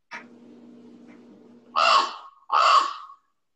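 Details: A recording of a Common Raven among northeastern songbirds, likened to a crow with a sore throat: two harsh, hoarse croaks, each about half a second, coming close together after a low background hum.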